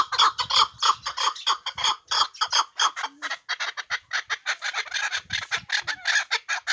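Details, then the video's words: Hunting chukar partridge kept on a tether, giving a fast rhythmic series of rough clucking chuk notes at an uneven pace, steady in loudness, with slight pauses near the middle. "Кабки побандии шикори"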